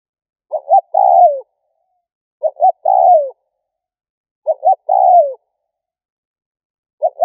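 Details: Spotted dove calling to lure other doves: three phrases about two seconds apart, each two short low coos followed by a long, throaty coo that slides downward. No other sounds.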